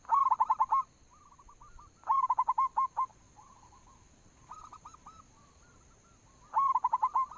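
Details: Local zebra dove singing a lure song to set other doves off: bursts of quick, bubbling coos in staccato runs of six to eight notes, repeated every couple of seconds, with softer cooing in between.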